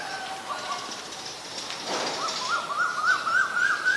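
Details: Asian koel call, a run of upslurred whistled notes climbing steadily in pitch and growing louder, about three per second. Faint bird chatter sits in the background.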